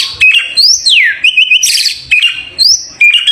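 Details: White-rumped shama, a prized champion bird, singing loud clear whistles with rising and falling slurred notes, sweeping glides and short buzzy bursts, phrases repeated rapidly at high pitch.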